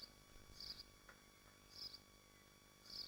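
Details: Swifts at a nest site in Machynlleth, Dyfi Biosphere, on a livestream. Three separate high, rasping bursts arrive about a second apart over quiet background hum.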